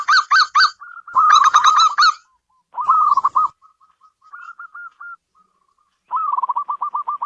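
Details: Local zebra dove (perkutut) repeating rich rolling coo phrases separated by pauses, with faint, flat staccato notes and a final quick rattle of short coos.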